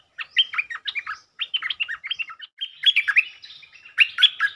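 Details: Territorial Stripe-throated bulbul being provoked with lure song: nearly unbroken, energetic chattering phrases of quick, rising and falling notes for over four seconds.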